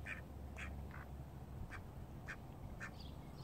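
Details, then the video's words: Call ducks, alongside Indian runner and mallard ducks, give six short nasal quacks spaced about half a second apart over a steady low hum. "Call ducks"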